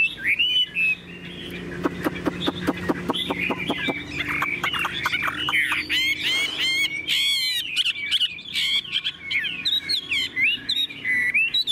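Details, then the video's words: Tame caged Chinese hwamei in full song: bright slurred whistles and warbles, a run of sharp evenly spaced clicks in the middle, then fast varied phrases rising and falling to the end. "Họa mi đẳng cấp, chim thuần, hót như 1 cái máy"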